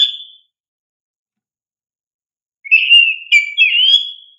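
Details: Kacer, or oriental magpie-robin, song used as a lure for young birds: a brief whistle, silence, then a quick phrase of clear whistled notes that rise and waver.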